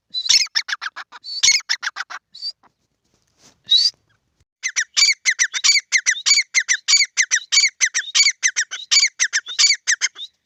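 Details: Grey francolin pair (teetar) in a field: two brief harsh bursts and an isolated shrill note, a quiet gap, then a long, steady, fast series of repeated ringing calls running to the end.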